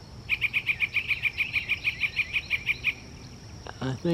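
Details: Yellow-breasted chat singing on a dark, cloudy May 15, 2024 morning at Iroquois Park: a fast even series of about sixteen identical clear notes, roughly seven per second, followed by a person starting to speak.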